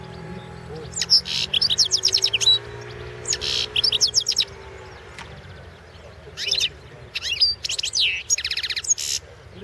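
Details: European goldfinch singing at the 2016 World Championship in Goldfinch Song, a competition recording: bright, high twittering phrases with buzzy trills and sharp whistled notes in short bursts, separated by brief pauses over a faint low hum.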